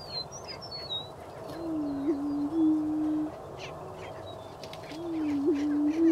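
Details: Low hollow booming from a greater prairie-chicken, filmed in spring 2010 in Wabaunsee County, Kansas; two drawn-out low hoots, each with a quick rising blip, separated by silence, with thin high bird whistles early on.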